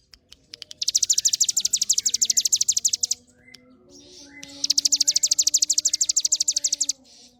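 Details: Very high, fast, evenly repeated trilling of a hill prinia, two long bursts of about twenty-five notes each with a brief pause between, faint low background hum.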